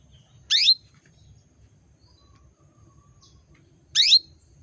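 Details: Female canary calling to males to bring them into breeding condition: two short, bright, upward-sweeping chirps about three and a half seconds apart, with a faint low hum underneath.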